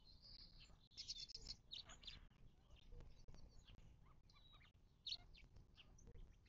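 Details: Desert bird calls at a Mojave Desert watering hole in southern California, 19 March 2024: a quick burst of high chattering chips near the start, then sparser chirps and one sharp note near five seconds.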